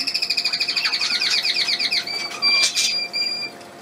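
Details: Small bird recorded on 31 May 2020: a fast run of about twenty sharp, repeated chirps, then a few longer clear whistled notes and a brief harsh burst.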